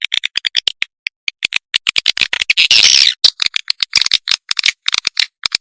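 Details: Swiftlet lure sound of rapid, fairly soft ticking chirps in a steady stream, with one longer loud buzzy twitter in the middle.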